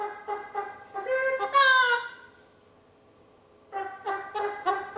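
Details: One-year-old male pet eclectus parrot clucking like a chicken: a few short harmonic clucks, then a longer drawn-out nasal note. After a pause, another run of quick clucks.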